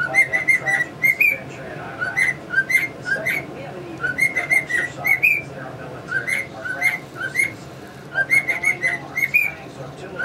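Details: Household male cockatiel whistling a familiar melody, possibly Yankee Doodle Dandy, in rhythmic bursts of pure notes, a brief lull midway, with budgies chattering nearby.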